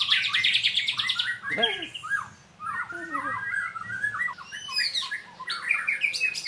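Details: White-rumped shama singing during training: high rattling trill at first, then clear looping whistles and short slurred notes spaced out after a brief pause, with faint voices in the background.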